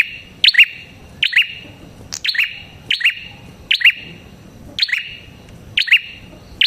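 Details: Red-headed prinia singing, lure recording for catching prinias: shrill double chirps repeated about every second in an even series, with steady low background hum.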